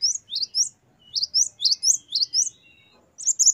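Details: Great tit (gelatik batu) singing a lively 'gacor wucit variasi' song, a recording used to train captive songbirds: very high, sharp chirped notes that rise and fall, delivered in quick doubled bursts with short pauses between phrases.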